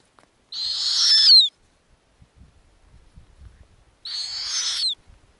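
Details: Nestling snowy owls in the Arctic, growing on a lemming diet: two loud, breathy screeches, each rising steadily in volume and closing with a sharp downward slur, about three seconds apart, with soft scratching in the gap.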